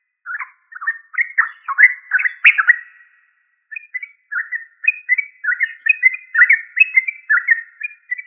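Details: Yellow-vented bulbul calling: bursts of bubbly, chirping notes in the middle pitch range, in quick rhythmic phrases, broken by a short pause near three seconds, with thin high tinkling notes over the top.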